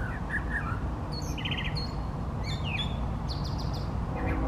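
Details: A male Brown Thrasher singing from trees for fifteen minutes or more gives a quick string of varied phrases, some buzzy or twittering notes given in pairs, over a steady low rumble of wind or traffic.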